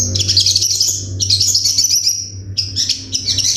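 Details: Crimson Sunbird (sogon) masteran tutor song with sharp 'tembakan' bursts: continuous very high, rapid twittering trills in three dense phrases separated by brief gaps, over a low constant hum.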